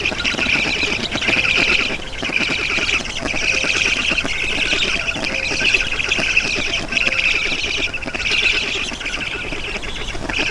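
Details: Black storks at the nest in Estonia, 7 June 2019 around 11:03, an adult bringing water; repeated harsh, nasal squawking phrases roughly every second, with faint low tonal notes beneath.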